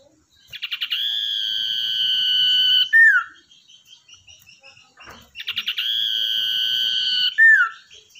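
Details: Common iora, a wild-caught bird tamed for luring: two long steady whistles, each introduced by rapid stuttering notes and finished with a short falling slur, with light chattering notes in the gap.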